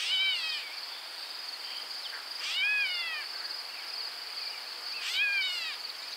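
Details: A Gray Catbird gives three cat-like, downslurred mew calls about every two and a half seconds from dense thicket or shrub, over a steady high insect drone.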